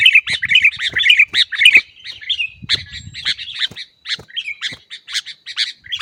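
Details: Kutilang (sooty-headed bulbul) in noisy 'ribut' training song for caged birds: nearly two seconds of quick, tumbling, slurred chirps, followed by looser groups of short bright notes with faint low rustling.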